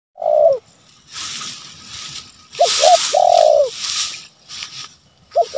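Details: Spotted dove, a loud bird calling rivals, used as a lure and training recording: short coo notes near 600 bars, then a long sliding coo; a noisy rushing burst between phrases.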